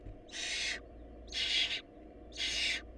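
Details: Three loud, harsh hissing screeches, about one per second, come from barn owl nestlings lacking food, over a quiet low hum.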